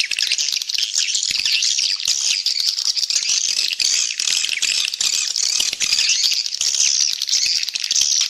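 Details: Lure sound of swiftlets meant to pull in more birds: a steady, rattling mass of high chirps, crowded with rapid clicks, running without a break.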